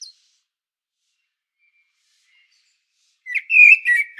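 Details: After a long quiet gap, a common blackbird on Sljeme, Medvednica Mountain, Croatia, bursts into a short loud fluty warble mixed with high twitters; Panasonic Lumix DC-TZ90 recording.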